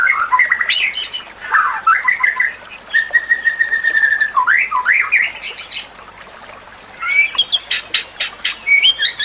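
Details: White-rumped shama singing for use in training: whistled slurs, a held flat whistle, harsh squawky bursts and high metallic notes, with a quieter pause before fast chattering resumes.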